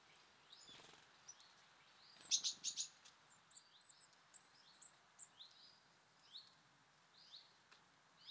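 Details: Wild birds visiting a feeder at snack time: scattered short high chirps and thin rising tweets from several birds, a brief burst of louder rapid notes in the middle, with faint background ambience.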